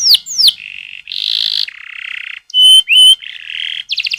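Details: Canary song, a lure for young canaries to start singing with long rolls: two sharp falling notes, then buzzy sustained rolls alternating with pure whistled tones and a fast stuttering trill at the end.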